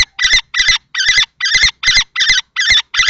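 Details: Fight between two male common kestrels, one adult and one young in juvenile plumage, over a nest box in Théding, 20 March 2024. Shrill, buzzy notes repeat evenly, roughly three a second.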